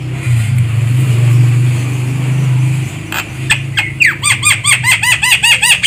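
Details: Javan myna sound played as a lure for bird trapping: after steady engine-like rumble, a quick run of harsh descending notes and clicks begins and repeats rapidly to the end.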